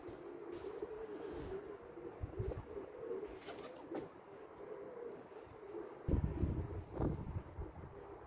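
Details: A male blue pied pigeon recorded on 24 April 2022 coos continuously in low, wavering, droning phrases. Louder thumps and knocks come near the end.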